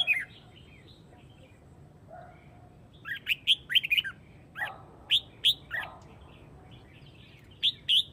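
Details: A red-whiskered bulbul of the Huế type calls the flock with bursts of bright, bubbly chirps and quick rising notes in short clusters, with faint chatter of other birds between.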